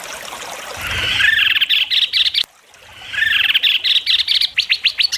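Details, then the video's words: White-rumped shama singing for judges in an Indonesian competition, sharp besetan style: two swelling phrases, each a blurred chatter turning into quick, separate high chirps, split by a brief gap. "Masteran besetan tajam!Langsung dikunci para juri"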